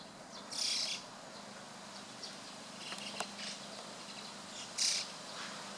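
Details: White-cheeked starlings gathering in a flock on a June 2016 afternoon: two loud, harsh screechy bursts about four seconds apart, softer chatter and a click between, with a low steady hum.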